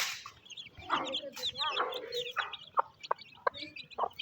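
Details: A hen calls while feeding her chicks in rainy village weather in Pakistan. Drawn-out grumbling clucks give way to short, clipped clucks spaced about a third of a second apart, with high twittering chick peeps throughout.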